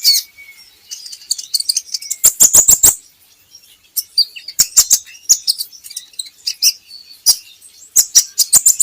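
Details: Javan hanging parrot song played to coax birds into singing: rapid runs of sharp, very high ticking notes and squeaky chirps, repeated in clusters, with a faint thin whistle at the start.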